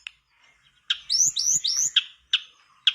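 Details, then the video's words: Mangrove blue flycatcher singing in full voice, used as a lure so a silent bird joins in: sharp clicks, then three quick rising whistled slurs, then further clipped high notes about every half second. "Pancingan burung tledekan bakau gacor biar sikatan bakau macet ikutan gacor"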